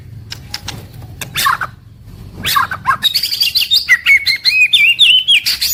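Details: Murai batu, the white-rumped shama, in its daily song from morning to evening. Scattered sharp clicks and short notes open the clip, then a long run of high, squeaky warbled phrases with rapid twittering.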